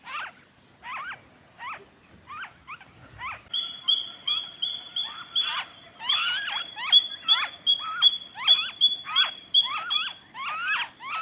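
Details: Noisy friarbird in Victoria, Australia, February 2023: harsh, nasal rising notes in quick irregular series, with a steady high thin whistle running underneath through the middle and end.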